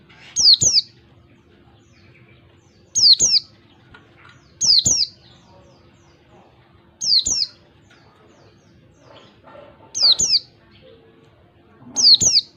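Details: Lure call of a wild oriental white-eye for caged white-eyes: six evenly spaced pairs of high, sharply descending whistles, repeated roughly every two seconds, against a quiet low hum.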